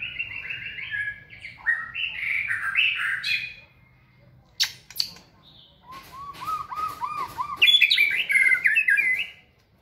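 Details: White-rumped shama in a flight cage, singing with energy while being trained for stamina: rapid warbled phrases, a few sharp clicks, then a series of lower repeated rising notes and a bright closing flourish.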